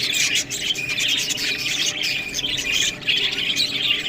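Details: Several budgies eating fresh greens chatter loudly: a dense run of squeaky chirps and warbled notes, rising and falling in bursts.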